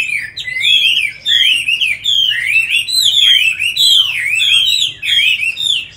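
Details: Tamed Chinese hwamei, said to sing very well, delivering a continuous stream of loud, slurred whistled phrases that swoop down and up, repeated in quick groups with short gaps.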